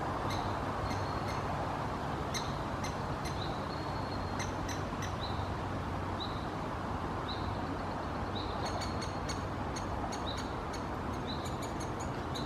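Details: Great spotted woodpecker nestling calling from its nest hole in Helsinki, Finland, June 2021, gives short, high, squeaky notes in irregular bursts over a steady traffic-like rumble.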